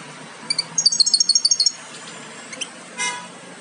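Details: Nest of European goldfinch chicks nearly ready to fledge, a Major aminet-carrier by Parva Ancestral pairing; a rapid run of about ten sharp high chirps, a few isolated tweets, then a short noisy burst, against a constant hiss.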